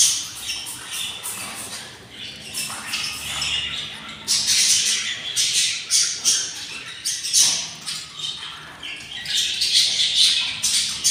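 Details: Day 24 in a budgerigar pair's nest: six hungry chicks produce an unbroken stream of rasping, chattering squawks, rising and falling in rapid pulses for eleven seconds.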